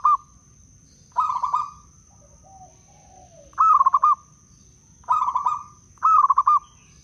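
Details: Zebra dove, local wild bird from Blora, sung as a lure for catching doves and to spur quiet birds: five rolling, rapidly pulsed coo phrases at irregular gaps, with a soft falling note between them and a thin steady whine.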